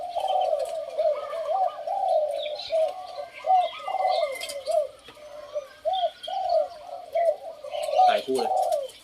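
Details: Caged Spotted Doves, two rival males about two years in the cage, cooing against each other in competition: mellow repeated low coos in short phrased groups, with faint higher chirps and a brief clatter near the end.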